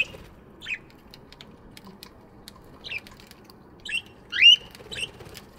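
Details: Morning chirping from budgies in an aviary: a few scattered short chirps and one louder rising squeaky note near the end, separated by quiet gaps.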